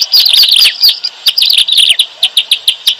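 Bar-winged Prinia: a second of rapid, jumbled high twittering, then a run of sharp, thin chips about five per second.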